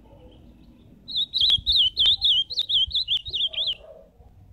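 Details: Live azulão, the ultramarine grosbeak, delivers a rich warbling phrase of about ten quick looping whistled notes over nearly three seconds, then falls silent with faint low background sound.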